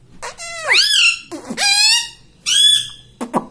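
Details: Talking pet ringneck parakeet speaking indoors: three clear, loud, word-like syllables, rising and then held, each under a second long, followed by two short clicks.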